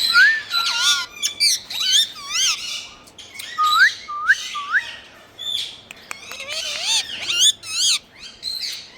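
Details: Pet rose-ringed parakeet giving loud scratchy squawks mixed with short curving whistles and upward-sweeping notes, delivered in uneven bursts separated by brief pauses, with repeated similar whistle shapes appearing in runs.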